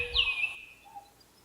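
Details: A Willie wagtail singing in the Australian outback to attract a mate and establish territory gives one bright, high, chattering phrase that sweeps downward over half a second, followed by quiet background.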